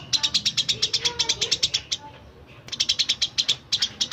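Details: Eurasian tree sparrow giving rapid, bright chirps in quick series, meant as a model for training magpie robins and green leafbirds; one brief silence midway before the chirping resumes.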